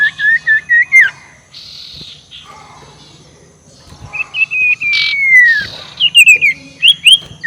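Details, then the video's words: Ashy tailorbird ngekek call, a lure for rival birds: a run of short repeated whistled notes, a pause, then a long falling whistle and more quick looping notes. "SUARA NGEKEK SIRTU BIKIN LAWAN EMOSI || PANCINGAN SUARA BURUNG SIRTU"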